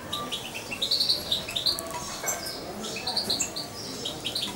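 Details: European goldfinch fledgling around two months of age, raised by hand with a syringe, utters rapid high tinkling chirps in two loose bursts, with quiet room noise behind.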